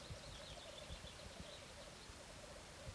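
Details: Black grouse lek display, 2014: a soft, continuous bubbling coo that rises and falls steadily, with a faint higher wavering note above it and low rumbling noise.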